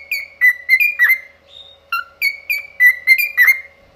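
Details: Pet cockatiel's so-called opera singing: about a dozen short, pure whistles, mostly on one pitch with a few lower dips and one long soft note, evenly spaced, faint background hum.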